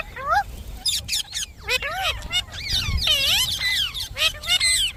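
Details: Pet Indian ringneck parakeet talking: a run of bright, sharply bending squawky syllables, some rising then falling, delivered in quick bursts with brief pauses.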